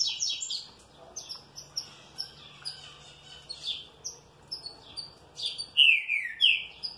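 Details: Green-winged saltator, well cared for and responding cheerfully. Scattered high chirps and short downward notes build into a loud pair of descending slurred whistles near the end, over steady low background noise.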